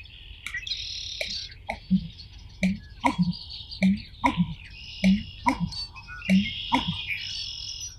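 American Bittern giving deep, hollow gulping pumps, repeated in quick bursts, with sharp clicks between. Other birds chatter and trill high above throughout.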